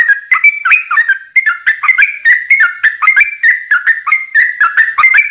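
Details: Sooty-headed bulbul in long, rapid 'ropel' song used as a lure to make other bulbuls sing back: a continuous run of bubbly, liquid whistled phrases, each dipping and rising, repeated about five times a second with no pause.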